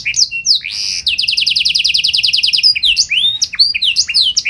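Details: Singing canary performing prized song variations meant to prompt other canaries to answer, a brief whistle, then a long fast trill of repeated rising notes followed by scattered sweeping whistles and chips.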